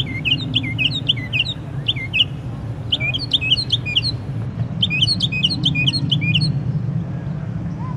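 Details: Unidentified songbird singing in the middle of the night with a varied repertoire: short bursts of quick twisting chirps and sliding whistles, separated by brief pauses, over a steady low hum.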